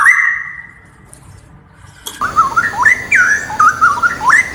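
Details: Straw-headed bulbul, or cucak rowo, training song for other birds: a long held whistle, a quiet gap, then a run of bubbly, rising and falling whistled notes over faint background hiss.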